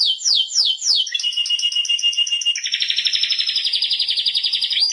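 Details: Timbrado canary opens with three quick descending whistled sweeps, then moves into a smooth high roll and a loud, dense, rapid trill held to the end.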